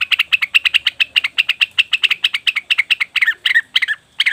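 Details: Cucak wilis or rengganis leafbird calling to attract wild birds: a rapid, steady string of sharp ticking chips, about six per second, breaking into a few harsher, lower scratchy notes near the end.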